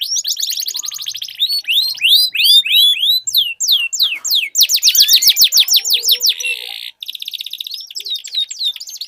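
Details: Dueling canaries in long rolling song. Rapid trills, rising and falling whistled slurs and a sustained buzzy roll follow one another, with brief gaps between bursts.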